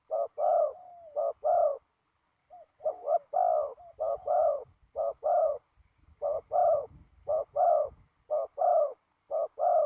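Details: Spotted dove calling during decoy trapping on the ground in strong wind: a long run of paired, mellow coos, short then drawn-out, repeated steadily with brief pauses and light low background rumble.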